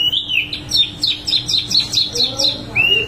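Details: Actively singing wambi mini delivers a rolling run of quick, high-pitched chirped notes, evenly repeated several times per second, ending with a short upward whistle; low steady hum beneath.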